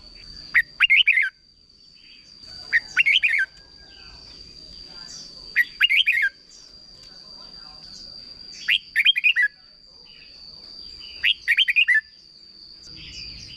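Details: Red-whiskered bulbul giving a short 'berb' style song meant for young birds to copy, five bursts of quick whistled, warbling notes about every two and a half seconds over a steady high whine.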